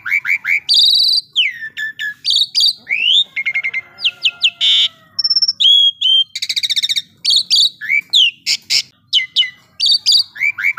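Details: Asian pied starling in full, energetic song: a rapid, varied run of loud whistles, rising and falling slurs, harsh buzzy bursts and rattling trills, delivered in dense phrases with brief gaps, clean and close with no other sounds.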